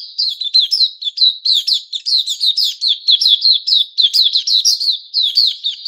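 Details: White-crowned shama, a caged bird growing new feathers, recorded 6 September 2021: continuous loud, rich song of quick whistled and slurred notes, rising and falling, packed densely with barely any gaps.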